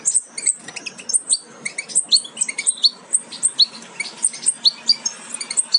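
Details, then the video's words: European goldfinch fledglings almost ready to leave the nest, a Major carrier of aminet crossed with Parva Ancestral, give a dense stream of thin, high chirps, several birds calling over one another in quick succession. "Jilgueros casi listos para saltar del nido"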